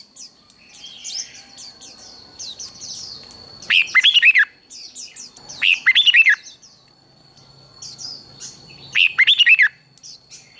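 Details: Red-whiskered bulbul trained for singing contests: three loud bursts of rapid, liquid whistled notes about every two to three seconds, with quieter high chirps in between and a thin steady tone behind.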